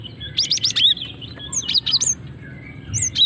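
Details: Calling female cinereous tit, a lure sound to attract males and trigger song: a fast cluster of high chirps ending in a downslurred whistle, then scattered looping whistled notes with quiet gaps.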